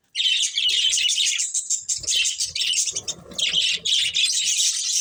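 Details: Two breeding budgerigars chatter almost without pause, a bright, scratchy warble of fast high chirps and squeaks. Soft low rustling and knocks sound in the background.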